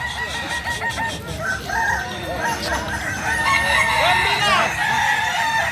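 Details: Crowing of Kukuak Balenggek chickens, native to Solok in West Sumatra: repeated short crow syllables building into a longer rising and falling phrase, with other fowl calling over constant background noise.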